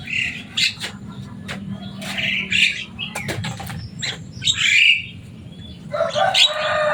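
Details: A Javan myna, loud and talkative and able to imitate speech, utters scattered sharp clicks, raspy squawks and a brief whistled slur, ending in a dense harsh burst; low hum underneath.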